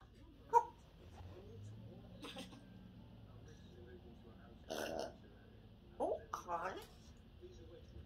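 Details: Pet African grey parrot, two years old, indoors, burping and then saying "pardon": a sharp short burst, a pause, then a brief noisy syllable and two quick voiced talking sounds near the end, over faint room hum.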